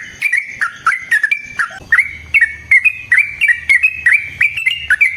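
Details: Yellow-vented bulbul giving a long fighting song meant as a lure and a tutor for other birds; quick clear whistles with sharp upward and downward flicks, tumbling in a continuous lively run of about four notes per second.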